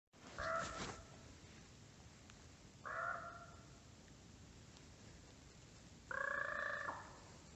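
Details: Bird calls in a winter forest of the Middle Urals: three short, harsh, harmonic calls spaced about three seconds apart, each roughly half a second long, over quiet forest background.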